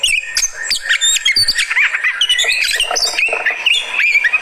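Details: Fighter-type Oriental magpie-robin's reaction song, a continuous torrent of fast chirps, slurred whistles and harsh rasping notes, mostly high-pitched and tightly packed.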